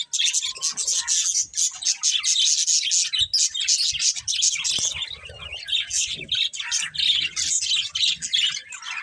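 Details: A flock of pet budgerigars chirps and warbles nonstop, harsh scratchy chatter mixed with thin whistled notes, with low thuds and faint background noise in the second half.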